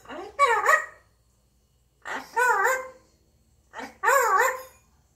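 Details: Grey parrot humming to itself in a good mood: three bursts of wavering, warbling nasal tones that rise and fall in pitch, each about a second long, separated by short silences in a quiet indoor room.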